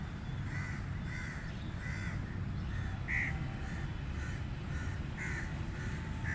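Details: Crow giving harsh, hoarse caws, about nine in a row, spaced under a second apart, over steady low rumbling background noise.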